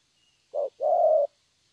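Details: Young wild-caught spotted dove kept for dove trapping, cooing in the prized 'thổ' style: a short low hollow note, a brief pause, then one longer, steady, resonant coo, with a quiet background.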